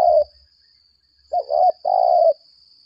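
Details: Spotted dove used as a decoy ('lambung kuk' type), calling in contest: tail of one coo, a pause, then a rising double coo followed by a long purring falling coo, with a constant thin whine.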